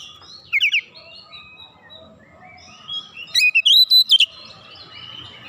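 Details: Oriental magpie-robin singing to goad other magpie-robins, showing its repertoire. A short burst of sharp chips comes early, soft warbling follows, then a loud fast trill of rising whistled notes sounds before fading to quiet.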